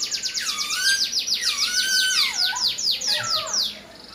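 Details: Chinese hwamei delivering a rich, loud song of rapid descending slurred whistles that run into one another, fading after about three and a half seconds.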